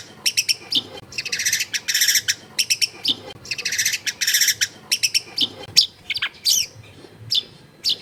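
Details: Long-tailed shrike in a densely populated residential area delivering harsh, rasping chatter: bursts of dry scratchy notes, longer grating phrases, and a few thin whistles, with brief pauses between.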